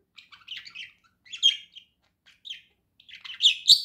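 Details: A domestic budgie chatters in cheerful song, clusters of buzzy, squeaky chirps in quick bursts separated by brief pauses, building to louder, sharper notes at the end.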